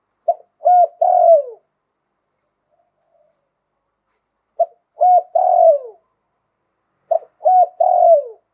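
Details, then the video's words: Spotted dove in Thailand delivering lui tan style song with a wild-type voice, three coo phrases separated by long pauses, each ending in a long descending croon; no other sounds. "หลิ่วตัน มงคล ขันโยนเพราะๆเสียงป่า"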